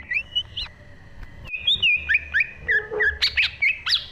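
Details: A lively green leafbird singing, recorded in 2023: varied, rapidly alternating whistles and chirps, some rising and some falling, delivered in an uneven quick series with short pauses and a faint low hum behind.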